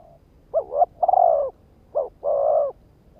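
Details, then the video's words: Lure call of a decoy spotted dove meant to provoke males: two deep coo phrases in quick succession, each opening with a wavering note and ending in a sustained, slightly falling hoot. "Tiếng chim cu gáy kích bổi"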